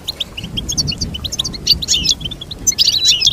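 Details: Goldfinch song of quick chirping notes building into denser buzzy twitters and bright trills in the final seconds.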